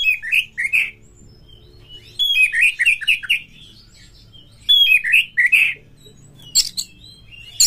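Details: Lure song of an Oriental magpie-robin meant to set others singing in breeding condition: clusters of short rich whistled notes in quick groups, separated by pauses, with scratchy high notes and a low background hum.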